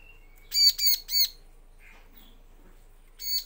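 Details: Bar-winged prinia lure song meant to draw replies from male and female birds, heard as a fast triplet of loud, rasping chirps followed after a pause by the start of another burst.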